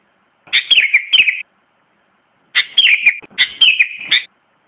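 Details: Sooty-headed bulbul song: two short bursts of bubbly, warbling whistled notes, each lasting under a second and separated by a pause of about a second, against a quiet, clean background.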